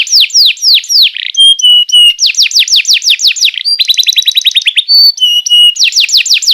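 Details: Canary song used as a tutor and trigger for young canaries: rapid tours of downward-sweeping whistled notes, switching to flat held tones, a fast buzzy trill and then back to quick descending sweeps, bright and loud throughout.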